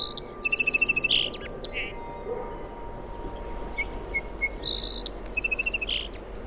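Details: Sparrow singing two bright, high trills of rapidly repeated whistled notes, the second after a pause filled with short sharp chirps and twitters, over a faint steady low hum.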